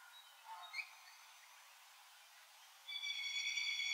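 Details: Pied butcherbird (Cracticus nigrogularis), Australia: a few soft, quick fluted notes, then a louder, steady, ringing whistle held for about a second.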